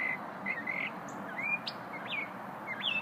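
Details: Little unidentified songbird heard during a lunch break, giving thin, high whistled phrases with rising and falling slurs at irregular intervals over constant broadband background noise.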